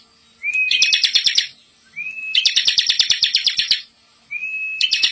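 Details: Young-bird training song of a bar-winged prinia: each phrase opens with a level whistle and breaks into a rapid, harsh, rolling trill, three phrases in quick succession.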